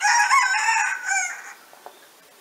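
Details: A rooster in the Lot department, France, crows loudly in one harsh, drawn-out cock-a-doodle-doo of about one and a half seconds, ending abruptly. It lives outdoors near caged laying hens, and faint background sounds follow.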